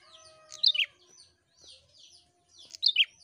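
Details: Prinia singing actively, a recording played to stimulate other prinias to sing: soft high chirps with two loud, sharp double notes dropping in pitch, about two seconds apart.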